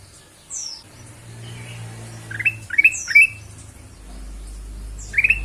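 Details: Kutilang emas, the ruby-throated bulbul, singing a lure phrase meant to set other birds singing: high downslurred notes then a quick cluster of three rising chirps, over a low steady hum.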